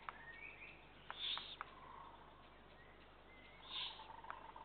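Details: Eurasian eagle-owl chicks at feeding time, 2 June 2023: two hoarse, hissing bursts about a second apart, with scattered sharp clicks and a faint whistled note in between.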